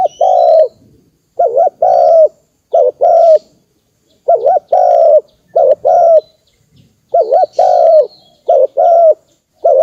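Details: Spotted dove lure call for rousing decoy birds in trapping: rhythmic low coo phrases, a bent double note then a drawn-out croo, repeated many times with short pauses, faint high chirps of other birds in the background.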